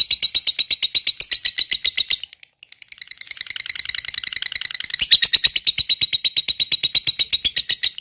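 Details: Caged fighter lovebird giving a long ngekek trill: rapid, even, high-pitched chattering pulses running for seconds, briefly pausing, then resuming in a dense rattling stream.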